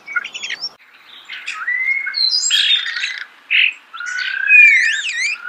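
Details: Starling song recorded close up: a varied run of squeaky notes, clear whistled glides, a harsh buzzy burst and a short pause, ending in looping, twisting whistles.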